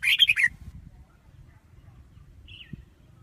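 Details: Red-whiskered bulbul giving a brief burst of rapid, bright warbling notes at the start, then near quiet apart from a single soft slurred whistle and a low background hum.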